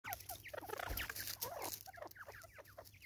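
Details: Natal spurfowl in South Africa giving its raucous call: dense overlapping harsh, cackling notes, many sliding downward, tumbling rapidly together with several birds seemingly calling at once, plus a steady low hum.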